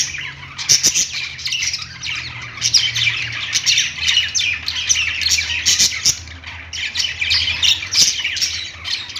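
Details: Many parakeets singing on a perch inside a pet store give a bustling chorus of fast, overlapping chirps and squawky warbles, punctuated by sharp clicks, with a low background hum.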